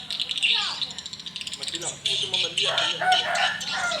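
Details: Swiftlets responding at a small swiftlet house in the evening: bursts of high, buzzy chirps, rapid clicking pulses early on, then louder dense twittering with some downward-slurred notes.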